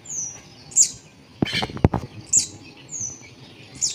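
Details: Young Brown-throated Sunbird being hand-fed with sweetened condensed milk: thin, very high whistled notes, each slightly descending, about five in four seconds, with a burst of clicking handling noise midway.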